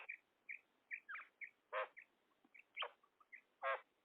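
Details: Female common quail (batair) calling: short bright notes repeated about every half second, mixed with louder, rougher broad bursts, over a steady faint background hiss.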